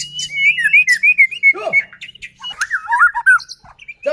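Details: White-rumped shama singing to stir other shamas: a quick string of whistled notes wavering around one pitch, a swooping lower phrase, then slurred chattering whistles.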